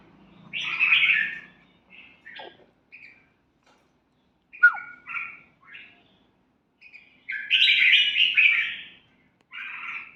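Red-whiskered bulbul giving short, bright chirping phrases in uneven bursts, with a louder warbled run near the end and a faint low murmur at the start.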